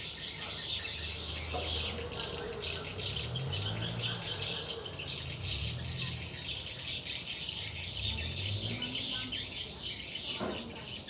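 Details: Swiftlets responding at a four-storey, 5 x 10 swiftlet house in use for four months: a thick chorus of high chirps and buzzy twitters, with a faint low hum and murmur underneath.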